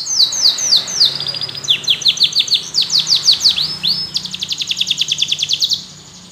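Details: Singing yellow canary: repeated falling whistled swoops and a brief roll give way to a bright, fast, evenly pulsed trill that fades at the end.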